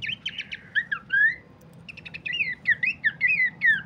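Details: Horsfield's babbler song used as a lure and master recording for training birds: bursts of short clicking notes, then slurred whistles dropping from high to lower, a brief pause, and a second run of looping whistled phrases.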